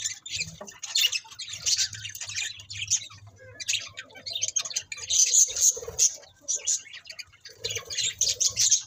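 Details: Budgies keep up a continuous high, buzzy warbling chatter with sharp squeaks, rising and falling in bursts, over a faint low hum.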